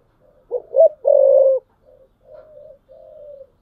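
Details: Spotted dove used as a tree decoy bird, giving a coo phrase: two short rising notes, a long steady low coo, then softer trailing coos.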